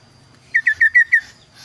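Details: Kaso-kaso bird song used as a tutor recording for teaching other caged birds: five clear, bright whistled notes in quick even succession, each slightly slurred, over a quiet low background hum.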